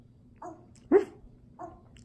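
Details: Pet African grey parrot mimicking a dog: a soft bark, then a louder sharp yelp with a rising tone, then another soft bark, all within two seconds, over steady room hum.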